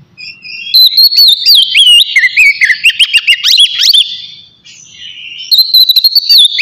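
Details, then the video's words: Oriental magpie-robin in relaxed ngeplong song, played to provoke emotion and breeding drive so the bird sings readily: loud, high, warbling whistles with fast chirps, a short quieter gap, then steady whistled notes resume. "TERAPI AWAL KACER NGEPLONG SANTAI COCOK BUAT MANCING EMOSI DAN BIRAHI AGAR KACER CEPAT GACOR"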